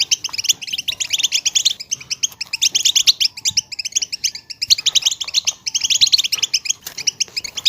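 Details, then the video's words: Group calling by female European goldfinches that is meant to stimulate males to sing: fast, high, glittering chip notes from several birds, overlapping in a steady chatter with brief dips between surges. "بتبتات حسون جماعية لتهييج وتحفيز طيور الحسون على التغريد"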